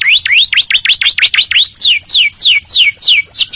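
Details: Canary song played as tutor audio for training birds, made of quick V-shaped whistled notes repeated about three per second, then a series of clear downward-slurred whistles.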